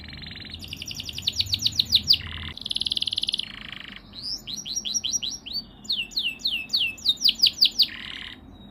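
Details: Singing yellow canary: a fast trill of slurred notes, a dense buzzy roll, then a long string of sweeping whistled syllables repeated several times a second with another buzz near the end.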